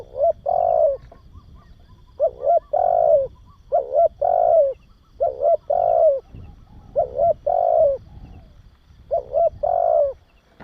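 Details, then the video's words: Repeated spotted dove coos for stimulating and training young doves: low mellow notes in short-then-long pairs, the long note falling at the end, over a faint low rumble of background noise. "Tiếng Chim Cu Gáy Kích Bổi Và Luyện Cu Gáy Non"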